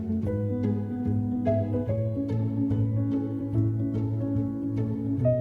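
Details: Plucked and bowed string music plays steadily throughout, with no animal sounds heard.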